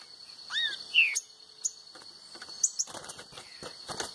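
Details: A green-winged saltator, reportedly outsinging a free-flying rival, gives two or three loud, slurred whistled notes, one dipping and one rising, then sharp clicks follow over a steady high insect whine.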